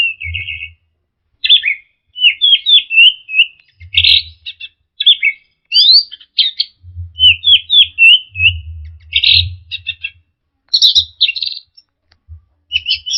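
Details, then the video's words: Orange-headed thrush, used for training caged birds, delivering a long varied song: buzzy notes, strings of rapid slurred whistles, dense scratchy bursts and abrupt pitch jumps in short phrases separated by brief pauses, with low thumping sounds. "TERAPI SUARA BURUNG ANIS MERAH DIJAMIN NYAUT DAN GACOR"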